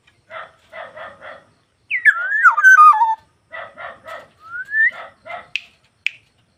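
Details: Black-naped oriole singing vigorously: clear fluty whistles slurring downward, then one rising whistle, set among rows of harsh, nasal rasping bursts repeated about twice a second, with two short sharp notes at the end.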